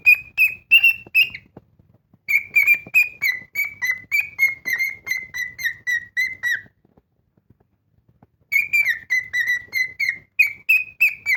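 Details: Loud whistled song from a cockatiel kept as a pet: runs of rapid, slightly falling whistles broken by two pauses, the longest lasting about two seconds.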